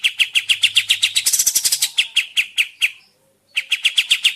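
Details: Sooty-headed bulbul recording used as a lure to draw answers and song: steady rapid chirps, a short harsh buzzy flurry, more chips, a half-second pause, then the chirping resumes.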